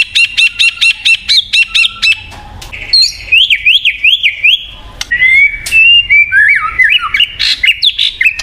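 White-rumped shama singing a rich, varied song: quick bursts of repeated bright chips, then looping whistled slurs that rise and fall between phrases.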